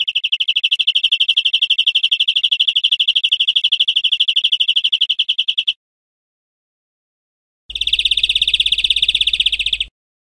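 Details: European greenfinch song from a cage-bird teaching recording: a long, dense, buzzy high trill of almost six seconds, a pause, then a harsher two-second trill with some low background hum.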